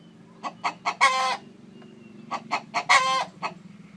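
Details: Chicken on a farm where a hen sits on eggs: short clucking pulses build into two loud, harsh, ringing calls about two seconds apart, with a low steady hum in the background.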